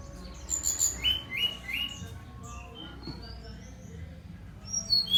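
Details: Brown-chested jungle flycatcher song: very high whistled notes, then a few sweet mid-pitched whistles, a pause with faint warbling, and more high thin notes at the close.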